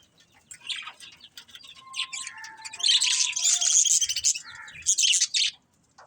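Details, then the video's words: Chattering budgies: scattered high chirps and short flat whistles building into a loud, continuous warble, then a final burst and silence. "Cute Budgies Chirping Sounds"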